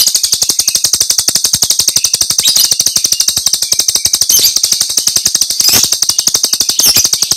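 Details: Rapid 'tembakan' burst song of a Jalak Rio starling, a master recording for teaching songbirds: a continuous machine-gun chatter of sharp clicks, about four per second in loudness peaks, over a bright hissing high tone, with short squeaky accents.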